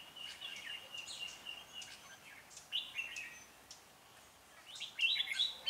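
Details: Decoy red-whiskered bulbul singing to draw and provoke wild rivals while trapping, recorded 16 January 2017; quick twittering and warbled phrases come in bursts, with a louder cluster of notes near the end over background noise.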